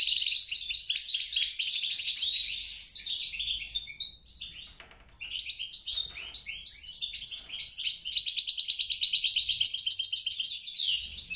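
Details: European × grey-crowned goldfinch hybrid mule delivering chattering song, dense twitters at first, a short near-silent break, then resumed bright chirps and fast rattling trills.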